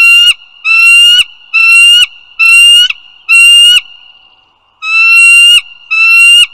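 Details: Bald eagles along the Dulles Greenway, northern Virginia, 16 April 2022 at 08:55 in the morning: a loud series of seven ringing, harmonic notes, each slightly rising and lasting under a second, with short gaps and one longer pause.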